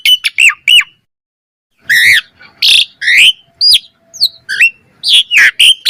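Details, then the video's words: Asian pied starling song used as a training lure: a few quick chirps, a second of silence, then harsh squawky notes alternating with sharp whistles. "Pancingan Jalak Suren Gacor Mompa Full Variasi - Masteran Suara Burung Jalak Cepat Gacor Full Isian"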